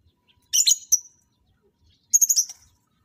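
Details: Lovebirds brought together for pairing and mating; two brief clusters of shrill, scratchy chirps, separated by about a second and a half of quiet.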